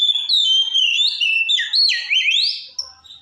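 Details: Kacer (white-rumped shama) pouring out continuous loud song to provoke other shamas: long clear whistles wavering and sliding up and down, ending in a rising sweep.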